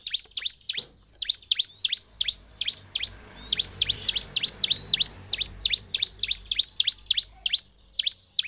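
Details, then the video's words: Provocation song of the bar-winged prinia (ciblek), a fast series of piercing high chips, around three to four each second, broken by a short pause near the start. "TAK BUTUH WAKTU LAMA SEMUA CIBLEK CEPAT EMOSI DENGAR CIBLEK GACOR INI"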